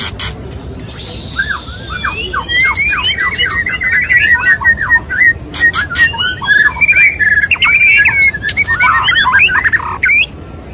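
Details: Mating call of a male white-rumped shama (murai batu) courting a female: after a brief quiet start, a lively stream of short whistled notes, chips and quick rising slurs, growing louder and denser toward the end.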